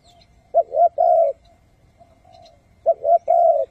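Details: Spotted dove kept as a trapping decoy, giving its thúc-gù call. A pair of phrases, each two short mellow coos followed by a longer, steady coo.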